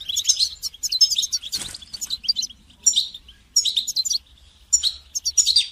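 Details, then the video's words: Goldfinch song used to train songbirds, given as quick, liquid twittering runs of high chirps in several bursts, with a soft rustle early on and brief pauses between phrases. "goldfinch song training"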